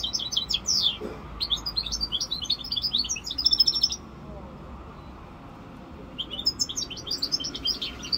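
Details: A five-month-old goldfinch mule (Corsican) sings rapid twittering phrases of high, tinkling chirps and trills, pausing briefly midway before starting again.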